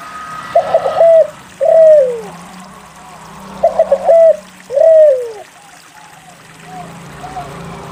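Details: Actively singing spotted dove, played to coax silent doves into calling. Two phrases, each a short stuttering triplet followed by a drawn-out descending coo, then quieter distant cooing toward the end.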